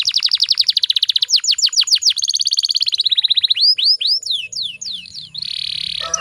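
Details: Canary hen sound for provoking males: a very fast even trill of high notes, then slower falling sweeps and rolling phrases, finishing in a buzzy note with faint low noise.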